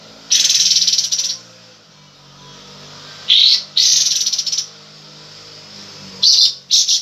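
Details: Cream-vented Bulbul in breeding condition, tail spread, giving loud buzzy chattering bursts, a long one, then a quick pair after a pause, and two short final bursts.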